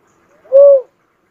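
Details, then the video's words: Single soft-starting, low, steady whistled coo of an uncal cuckoo-dove, gently arched and about a third of a second long, in quiet surroundings. "suara burung uncal asli"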